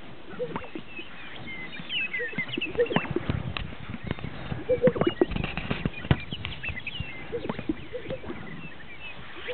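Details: Greater sage-grouse display at a lek in northern Utah, with hollow, liquid pops and swishes from several birds at irregular intervals over a murmur of distant grouse and faint higher chatter.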